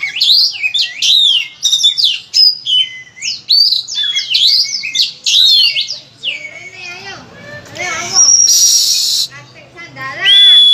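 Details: Oriental magpie-robin in full, loud song used to coax others into singing: a dense stream of varied high whistles, trills and slurred notes, with a harsh buzzy burst near the end and a clear whistle closing.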